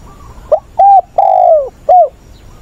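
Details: Captive spotted dove used as a decoy, 20/8, with the tense wild-bird voice called giọng bổi ức chế; a soft lead-in, a short note, a level coo, a long descending coo and a clipped closing coo.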